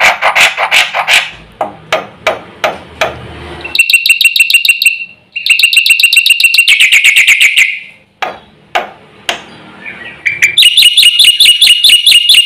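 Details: Black-winged myna in full 'gacor full isian' song, said to provoke every bird in the village: harsh rasping strokes repeated about twice a second, then rapid high trilled rattles and bright whistled stuttering phrases, loud and varied.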